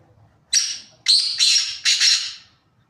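A Black Francolin gives a harsh, grating phrase of four or five loud, raspy notes over about two seconds, the later notes run together in pairs.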